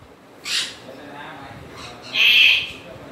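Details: Two rough screeches from a grey parrot, a short one first, then a longer, louder rasping call about two seconds later, with quiet between.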